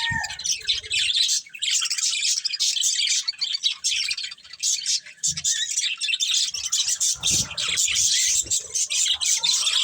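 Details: Budgerigars, a breeding pair, keep up a long stream of lively warbling chirps, scratchy and twittering, with barely any gaps and scattered soft low taps.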